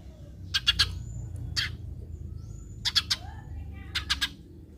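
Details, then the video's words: Eurasian tree sparrow calls used as a lure to get other sparrows calling, heard as short, dense bursts of sharp chirps in clusters of two or three, spaced about a second apart, over a low steady background hum. "Pancingan Gereja agar burung gereja lain ikutan bunyi"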